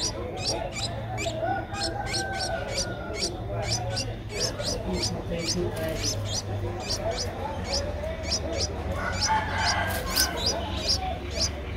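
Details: Ten-day-old Streak-eared Bulbul nestling, whose eyes opened at seven days, recorded in Ubon Ratchathani, Thailand, on 12 April 2023: dense, rapid thin chirps rising sharply, repeated several times a second over a low steady rumble.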